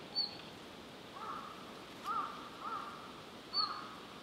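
Red-flanked bluetail giving two sharp, high ticks about three seconds apart, between low, throaty, slightly harsh notes, against a soft outdoor background hiss.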